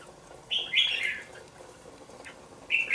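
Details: Two-month-old red-whiskered bulbul kept in a bổi cage sings a quick chirpy burst of falling warbled notes, then after a pause starts another short bright phrase.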